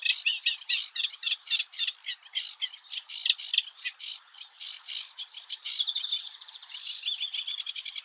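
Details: Eurasian reed warbler singing early in the morning at the Oostvaardersplassen, Netherlands, in 2023: a continuous, rhythmic chatter of harsh, scratchy notes, repeated in quick uneven bursts, shifting to a faster, more even trill toward the end.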